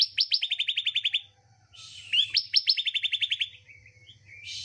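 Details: Bar-winged Prinia song used as lure audio to get reluctant birds singing: two bursts of rapid, high, ringing chips, about a dozen notes each, with a faint background hum.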